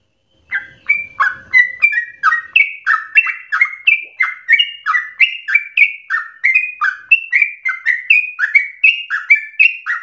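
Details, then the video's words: A sooty-headed bulbul sings a rapid, insistent stream meant to trigger other birds and teach song; after a brief quiet start comes a long run of paired chirps, high then low, about three per second throughout. "Trucukan gacor ropel ngotot narung emosi TERBAIK untuk pancingan sekaligus masteran"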